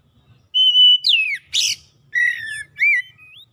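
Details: Oriental magpie-robin song played to stir an off-form, non-singing bird into singing: a long steady high whistle, then a falling slurred note, a harsh buzzy burst, and two more clear whistles with curling inflections.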